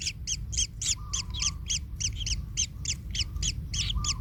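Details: Nestling kingfisher in pain after being stepped on by its parent: fast stream of harsh, arched double-banded cries, about three to four a second, with brief low tonal hums between.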